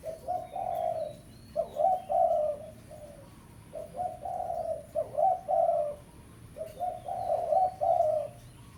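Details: Lure call of a spotted dove, 'pesom' style, used for ground trapping by summoning a rival: three repeated phrases of deep, rounded coos, each opening with short notes and ending in longer hoots, about three seconds apart, a few clicks between.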